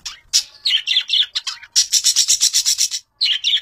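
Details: Long-tailed shrike, described as a fighter, in a master chirping recording: busy, scratchy high chatter with quick varied notes, a run of about a dozen evenly repeated buzzy bursts in the middle, then a short pause and more chatter.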